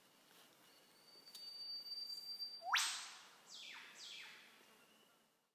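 Eastern whipbird: a long, thin, steady whistle ends in a loud whip-crack that sweeps sharply down. Two quick, lower, falling notes follow.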